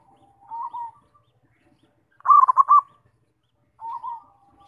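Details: Zebra dove song for prompting other doves to sing: a soft warbling coo, a pause, a loud rapid cluster of bubbling coos, then another soft coo, in silence otherwise.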